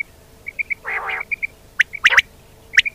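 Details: Common quail calling: bursts of three quick, clear, high notes on an even pitch, separated by loud, harsh, broadband squawks and rough, chattering bursts.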